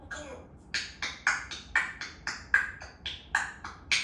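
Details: Grey parrot (Psittacus erithacus), talking.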